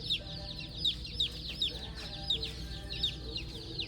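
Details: Chicks and turkey poults, kept under a heat lamp for warmth in a farm store's chick area, peep in a crowd: high, bright chirps, several overlapping at once, with a low hum and faint voices behind.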